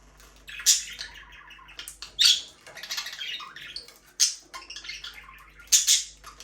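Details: Budgerigars, a breeding pair in an aviary, chirping: scattered short squeaky chirps and warbled chatter in bursts, with a low steady hum beneath.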